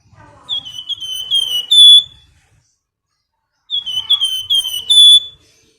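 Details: Female flamboyan calling the male: two loud whistled phrases, each a run of short slurred notes ending in a long, bright, steady whistle, separated by about a second and a half of silence.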